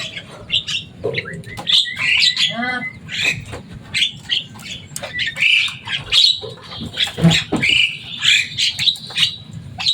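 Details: Javan myna raised as a pet, loud and fond of talking, fills the air with busy chattering, clicks and squeaks, including a rapid burst of stacked rattling notes near the start, continuing unevenly throughout.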